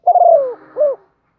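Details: Spotted dove in the Thổ pha đồng voice style, calling and urging: a single phrase with a long pulsing coo that slides downward, then a shorter, rounded coo that rises and falls. No other sounds.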